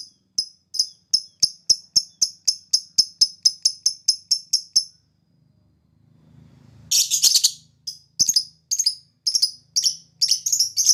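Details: Lovebird in the 'ngetik panjang ngekek' style, used as a lure to make other birds answer: a fast run of sharp, high ticking notes, a brief pause with low rumble, then bursts of shrill, rapid chattering trills.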